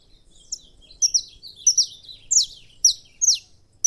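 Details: Saffron finch singing a series of sharp, high chirps and short downslurred whistled notes, delivered in irregular clusters roughly every half second, with a quiet background.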